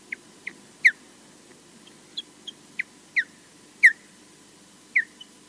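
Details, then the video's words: Osprey EJ at Loch Garten, Scotland, defending alone against an intruder seen only distantly, gives about a dozen sharp, high, down-slurred whistled chirps at an uneven pace, some loud and some soft, over a low steady hum. "EJ defends alone ~vs~ unseen (except distantly) intruder"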